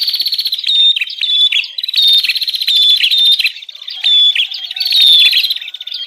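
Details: Bar-winged prinia 'ribut' lure calls for drawing in wild birds and training caged ones: dense, scratchy, rapidly pulsed chattering with piercing high clicks, running almost without break in several surges.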